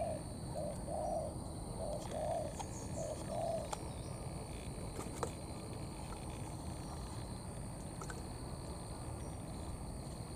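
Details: A wild-caught spotted dove delivering its 'thổ' mixed with 'cấn' cooing: low, rounded coos repeated about once a second for four seconds, then only steady hiss and faint rumble.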